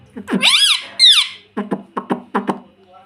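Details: Talking pet parrot, ringneck type, repeating mummy: two loud, bending, harmonic calls, then five or six rapid clipped syllable-like squeaks, with a person speaking nearby.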